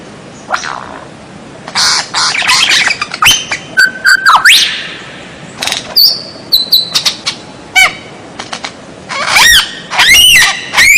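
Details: Strange-sounding white-rumped shama (murai batu) song for masteran training of captive birds: busy mix of sharp chips, short level whistles, sweeping slurs and dense rapid trills building toward the end.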